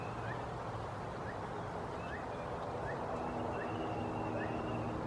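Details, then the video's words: A male Phainopepla on Los Alamos Rd (92563) gives soft, rising whistled 'wurp' notes about once a second, growing more insistent when no reply comes, over a steady low rumble and faint high hum. "Male Phainopepla silky flycatcher calling"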